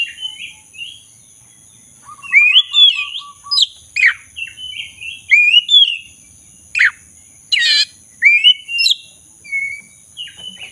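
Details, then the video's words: Black-breasted Oriental magpie-robin in sustained song, played to get a silent bird singing again; varied whistled slurs, harsh rasping notes and a brief run of quick identical pips. "Pancingan kacer dada hitam gacor - pulihkan kacer macet bunyi"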